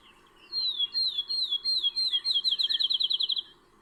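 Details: A Field Sparrow perched on an elm branch in April along the Towpath Trail by the old Ohio and Erie Canal, Ohio, sings clear, sweet whistled notes speeding into a rapid, even trill like a bouncing ball, over a faint hum.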